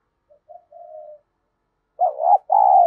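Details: Decoy spotted dove calling daily to provoke rival males: quiet short notes and a soft sustained coo, then after a pause two loud wavering throaty coos.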